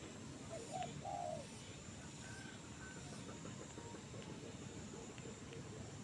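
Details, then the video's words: Trained bird perched in a jengkol tree: a quick pair of soft, low, looping hooted notes early on, then only faint traces, over constant background hiss and low traffic rumble. "burung ajaran.. gacor liat BL di pohon jengkolll"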